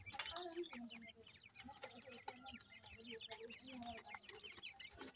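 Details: Many francolin chicks feeding together give a continuous chatter of short, high, down-slurred peeps, with low clucks and light tapping sounds mixed in.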